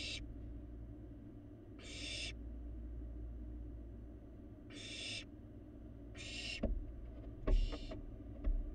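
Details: A young barn owl eats alone in its Florida nest box, giving five rasping hissed screeches spaced one to two seconds apart over a steady low hum, with a few faint clicks near the end.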